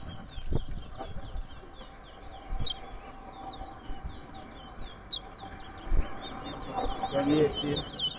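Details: At a towa towa (large-billed seed-finch) singing competition in Rosignol, Berbice, Guyana, a steady series of short slurred whistles repeats through the round over low murmuring voices and occasional knocks.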